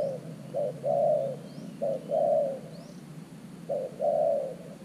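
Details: New decoy spotted dove used with an earthen trap to attract wild doves: soft, low two-part coos, a clipped first note then a longer sliding coo, heard three times, with faint thin chirps of other birds above.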